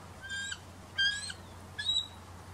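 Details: Female bald eagle perched on a branch near her eaglets, squawking as a red-tailed hawk flies at the field's edge: three thin, high, slightly squeaky squeals, the middle one loudest and falling, over a low steady hum.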